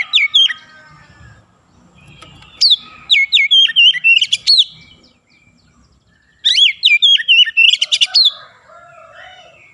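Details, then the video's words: Oriental magpie-robin singing in a dense, rolling 'ngerol' and 'nembak' style. Two bursts of rapid, loud whistled notes with sharp up-and-down sweeps are separated by a quiet pause. A faint low hum sits underneath. "KACER NGEROOL NEMBAK RAPAT DAN GACOR"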